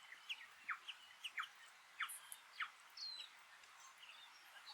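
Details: A New Zealand Bellbird on a farm in the Maungakotukutuku Valley, New Zealand, on an early winter day gives short, clear, downslurred notes at an uneven pace, with a few higher chimes and faint background birdsong.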